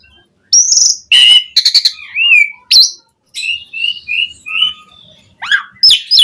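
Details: Asian pied starling singing vigorously with a rich, full repertoire, played as a lure to get other starlings singing: clear whistles, harsh buzzy bursts and short rising and falling notes in uneven phrases with brief pauses.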